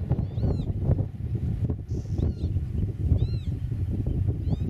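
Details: Nesting Eurasian oystercatcher in a meadow, camera about 8 metres off: shrill, arched piping calls with bright overtones, one early and one later plus softer notes between, backed by continuous low-pitched rumble.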